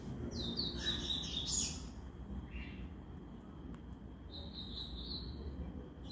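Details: Double-collared seedeater in a three-bird regional song contest; a brief burst of high, fast twittering notes opens, then a fainter, thin sustained phrase follows later, against steady low-pitched background noise.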